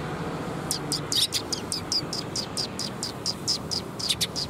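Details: Sparrows taking food from a tree branch at a Tenmangu shrine on 5 April 2021. Bright, high chirps come rapidly, about four each second, over a steady low hum of traffic.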